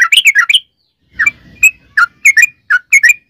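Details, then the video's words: Sooty-headed bulbul song, played as a lure to prompt other birds to answer: short bubbly warbled notes in quick bursts, then spaced clear chirps and whistled slurs, with a brief low rumble underneath. "trucukan gacor ROPEL PANJANG buat pancingan trucukan agar bunyi"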